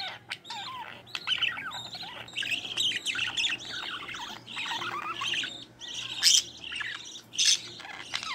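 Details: Young budgerigars in the nest, offspring of a green-line pair with one chick split to opaline, fed by the mother; scattered nasal chatter and squeaky notes, then louder harsh bursts toward the end.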